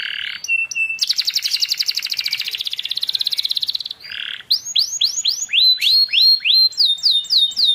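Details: Canary masteran for silent young canaries: a short level whistle, a long rapid buzzy trill, a harsh burst, then a lively string of looping sweeping whistles.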